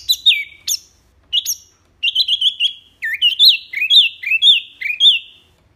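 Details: Wambi mini delivering clear tembakan song meant as a training recording: sharp, high whistled notes, then runs of wavering, looping whistles repeated in quick bursts with short gaps.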